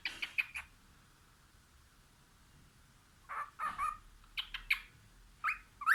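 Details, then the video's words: Cockatiel singing while looking out a window: clusters of short, bright chirping whistles, a quiet pause of over two seconds, then rapid bursts of chirps rising in pitch toward the end. "Bird sings looking out the window"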